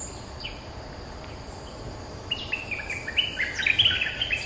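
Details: Territory-holding Streak-eared bulbul answering a lure: after a quiet start, loud clipped chirps and warbled notes come in a lively run to the end. A constant high-pitched insect drone sounds behind.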